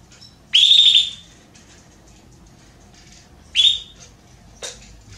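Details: Female Belgian canary calling to mate gives two bright, high whistled calls about three seconds apart, each sweeping up and holding, then a brief sharp chirp.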